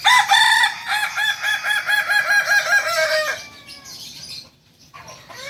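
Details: Kokok Balenggek chicken crowing: a long, loud series of rapid, evenly repeated nasal notes with rich harmonics, about two and a half per second for over three seconds, then fading into quieter background sounds.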